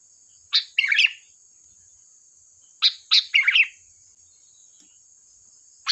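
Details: Lively sooty-headed bulbul song used to lure others: a clipped note plus gurgling flourish, a pause, then a longer phrase of sharp chirps rolling into a bubbly warble, a steady high whine underneath.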